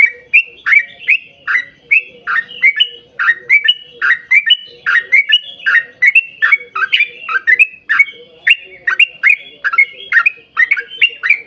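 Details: Energetic yellow-vented bulbul song meant to prompt other bulbuls to sing, a long rapid series of liquid chirps and short warbled phrases packed closely together, loud and continuous throughout.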